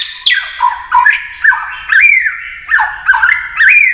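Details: White-rumped shama singing in a rousing, competitive style. Slurred, slightly harsh notes swoop down then up roughly every half second, mixed with short high clicks.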